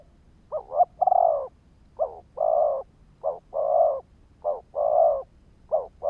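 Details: Spotted dove decoy call used to stimulate and attract wild doves: a steady series of low coo phrases, each a brief double note then a drawn-out hollow coo, repeated about every 1.2 seconds over faint low rumble.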